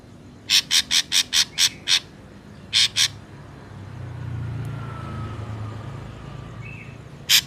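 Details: Natural recording of ashy drongo used to lure birds for trapping: a rapid series of seven harsh rasping notes, then two more, over a low rumbling background with a faint distant whistle.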